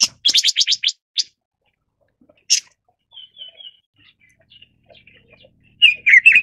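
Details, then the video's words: Red-billed leiothrix (Leiothrix lutea) giving a quick burst of five or six dry, scratchy chips, then soft high whistled notes and a closing run of harsh chattering calls. "紅嘴相思鳥/Red-billed Leiothrix"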